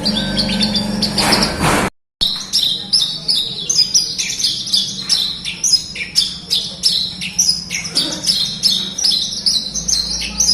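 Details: Horsfield's bush lark, a bird used to prompt silent larks to sing, giving high chirped notes near 4–6k in rapid repeated bursts after a brief gap, with a steady low hum underneath.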